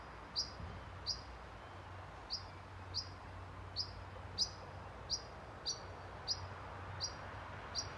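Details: European pied flycatcher parent at a nest box with nestlings inside, near a nursing home in Sundsvall, Sweden, 20 June 2023, warning the young to stay quiet; short sharp high calls repeated about every half second over steady low background hum.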